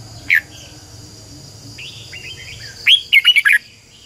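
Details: Red-whiskered bulbul used as a decoy to train other birds to sing: one sharp note, soft distant whistles, then a loud quick phrase of four or five rolling, bubbly notes near the end.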